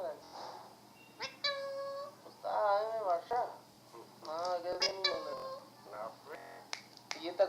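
An Alexandrine parakeet mixes speech-like talking phrases with a drawn-out, harmonic squawk and short raspy calls, heard indoors.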